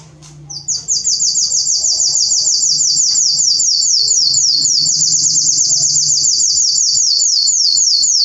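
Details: Belgian canary singing a long, fast trill of rapid, uniform notes repeated about three times a second, each note a quick downward sweep, starting after a short pause and continuing steadily; faint low hum in the background.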